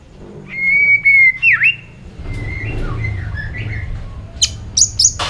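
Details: White-rumped shama in competitive multi-voiced song: long, steady whistles with a downward flourish, softer varied notes, and brief, very high notes near the end over a low background rumble.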